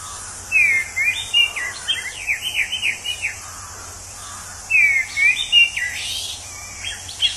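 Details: Song of a wild orange-headed thrush: long phrases beginning with a clear descending whistle followed by rapid, tumbling slurred notes, repeated after a pause, against steady high-pitched insect noise.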